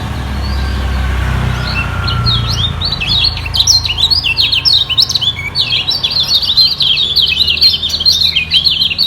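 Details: Lemon-bellied white-eye in a vocal battle with rivals below, holding its place at the top. A low rumble opens, then from about three seconds a dense, rapid warble of sharp, high zigzag notes runs unbroken to the end.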